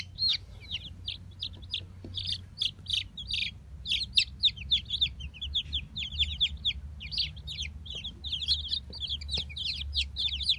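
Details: Fifteen recently hatched Brahma chicks chirp loudly in a dense, continuous chorus of sharp, high, falling peeps, several birds calling at once over a steady low rumble.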